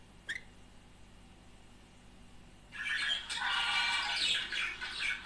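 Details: Budgerigars, a couple, used to stimulate mating; after near-silence with one brief chirp, a burst of rapid scratchy warbling and squeaky chatter begins midway and continues.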